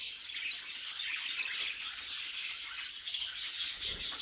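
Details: Pet budgerigars chattering together, a continuous buzzy, squeaky warble packed with quick chirps, a few sharper notes near the end.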